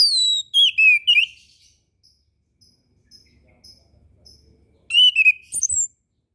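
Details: Orange-headed thrush song from a master recording meant for young birds learning to sing: a burst of bright, slurred whistles dropping in pitch, a quiet pause with a few faint soft notes, then another quick whistled run near the end.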